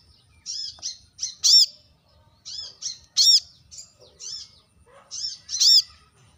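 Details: Brown-throated sunbird sharply calling at rivals: short runs of soft, buzzy high notes building to a single loud, ringing chip, repeated about every two seconds.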